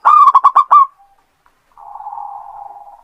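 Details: Singing local zebra dove kept as a lure: five or six quick, loud, hollow coo notes, a pause, then a steady low rolling purr lasting over a second.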